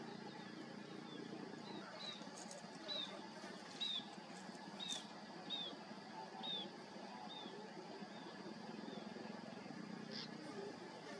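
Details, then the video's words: A newly hatched Cinnamon bittern chick (Ixobrychus cinnamomeus) gives thin, high, slurred peeps, about one a second, over a steady low rumble and hiss. "After Baby Bird Hatching From Egg (Cinnamon bittern)"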